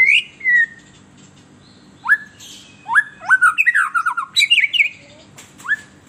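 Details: White-rumped shama in an agitated state, its sweet song used to provoke kept birds. Separate whistled slurs alternate with pauses, then a rapid burst of rich, warbled, squawky notes before a final falling whistle.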